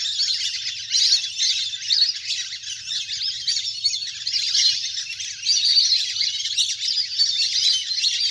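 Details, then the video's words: Many wild ducks in a large flock play on the water in this natural lure recording. A continuous, shrill chattering of squeaky whistles swells and fades across several seconds. "เสียงนกเป็ดน้ำ! ฝูงใหญ่เสียงคมชัดมาก สำหรับต่อเรียกนกให้ลง"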